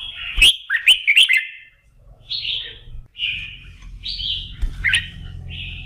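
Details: A red-whiskered bulbul warms up its voice in the morning to get fired up for singing competitions, opening with three rapid ringing whistles, then a string of separate rough, buzzy warbled phrases; faint low hum.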